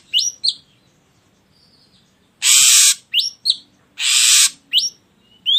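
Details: Lure recording of an ashy drongo: paired rising whistles, a quiet pause, then two long harsh rasps separated by quick upslurred whistled notes.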